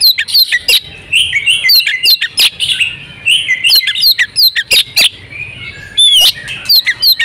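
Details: Oriental magpie-robin, a female in breeding condition, whose calls are used to set males singing: irregular bursts of sharp chips, twangy notes and short whistles, with a clear rising whistle near the end.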